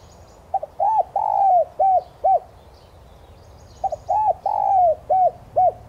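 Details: Two spotted dove phrases about three seconds apart, played as a lure to make kept doves coo: each a quick stutter, a rounded coo, a long drawn note and two short coos, with faint high chirping behind.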